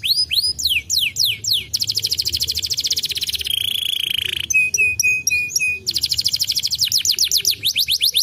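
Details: Lure song of a canary meant to set other canaries singing, varied and continuous: fast descending sweeps, a long dense rattling trill, a steady held tone, crisp repeated chips, then more rapid sweeping trills.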